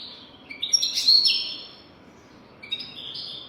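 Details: Goldfinch song meant for teaching young goldfinches: two short bursts of high twittering and buzzy notes, the first brighter and busier, separated by a quiet pause.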